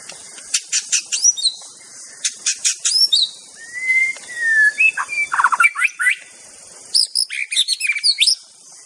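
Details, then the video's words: Wild white-rumped shama singing: a varied run of sharp clicks, a long slurred whistle falling slightly, then quick jumbled twittering phrases, over a steady high hiss. "Kicau KHAS Murai BATU di ALAM LIAR"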